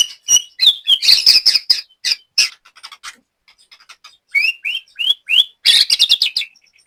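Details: Captive white-rumped shama from Banyumas, Central Java, at a joint bird-training session, singing high chattering phrases, then a short gap, then a string of quick rising whistled notes and a harsh burst.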